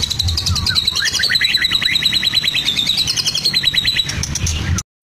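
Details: Medan-type white-rumped shama, caged in Blora, imitating lovebird, canary and cililin, produces a long fast buzzy trill of rapidly repeated high notes, about three per second in pulses, ending abruptly.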